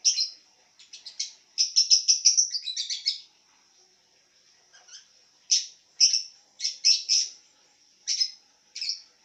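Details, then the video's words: Lovebird making sounds while lying down: a fast run of high, buzzy chirps packed together at first, then a pause before scattered sharp chirps in small clusters. "Love bird Tiduran sambil bunyi"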